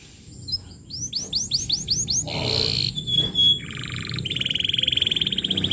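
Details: Singing canary on a lure recording for young canaries: six quick descending whistles, a buzzy note, a thin whistle, then two rolling trills, the last long and pulsing.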